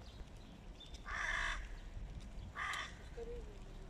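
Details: Two short, rough caws about a second and a half apart from hooded crows fighting a stray cat, over low rumbling background noise, followed by a faint, thin, wavering tone.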